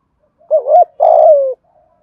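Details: Single phrase from a spotted dove singing 'giọng Thổ' style to lure wild birds: a short wobbling coo, then a sustained coo sliding gently downward.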